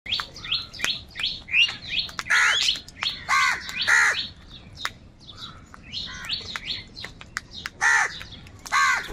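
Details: Many crows calling together while fighting for food: loud, harsh, harmonic caws come in bursts of two or three, separated by short pauses, over a steady background of quick, high chirps from smaller birds.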